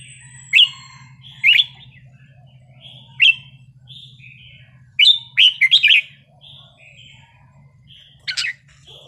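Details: Red-whiskered bulbul singing a wild-style song with pleasing phrasing. Short bright whistled phrases come in bursts every one to two seconds, some with quick rising and falling notes. A steady low hum runs underneath.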